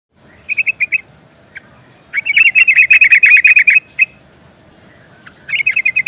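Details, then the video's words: Female yellow-vented bulbul giving a rolling call to attract a male: fast bursts of sharp, even chirps strung into rattling trills, one short burst, then a long rolling run, then another burst, over faint background hiss. "Suara trucukan betina ngerol perangsang bunyi"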